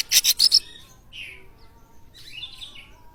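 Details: Oriental magpie-robin (kacer) song played as a lure to set other birds singing: a quick run of loud, harsh rasping bursts, then faint, scattered whistled notes over a quiet background.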